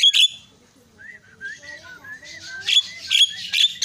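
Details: Myna sounds used to goad mynas into calling: soft wavering whistles and warbles broken by sharp, high squeaky chirps.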